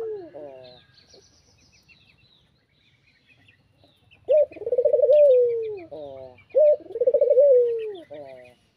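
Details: Spotted dove calling in the afternoon, used as a lure to draw rivals: loud, slightly wavering coo phrases near two seconds long, given twice after a quiet stretch, with softer cooing at the start and faint chirps above.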